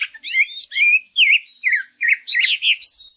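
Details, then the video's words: Greater green leafbird song used as a lure to stir other leafbirds into singing: varied whistled and warbled phrases, rising and falling, delivered in quick bursts with short gaps. "Pancingan Cucak Ijo Sangat Ampuh Untuk Menaikan Mental Ijo Lain Agar Mau Jamtrok Bongkar Isian"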